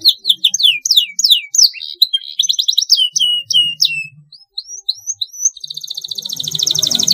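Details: Canary rolling song as a training master: quick descending slurred notes and chirps, a few rising whistles, then a dense high buzzing trill near the end over a low murmur.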